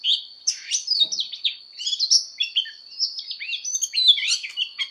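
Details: Oriental magpie-robin singing a fighting song for voice training: a mix of sweeping whistles, twittering trills and short buzzy notes, slightly softer, over a persistent thin high-pitched tone.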